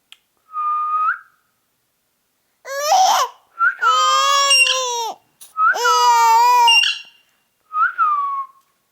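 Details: Ring-necked parakeet talking: short level whistled notes that curl upward at the end, alternating with long, rich, voice-like phrases of several seconds, with quiet gaps between.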